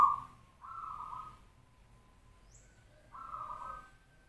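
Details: Local zebra dove of the 'sarang tanah' type in full song. It gives three level, fluty coo notes, each under a second long, separated by short gaps. A faint high chirp sounds in the background.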